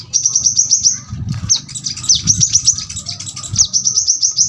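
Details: Brown-throated sunbird producing rows of quick high ticks and sharp downslurs, dense and rapid, against a low rumbling background noise.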